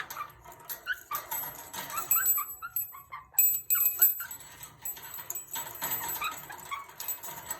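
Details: A pet Quaker (monk) parakeet at play on 13 April 2023 gives quick, scratchy chirps and squawks in uneven bursts.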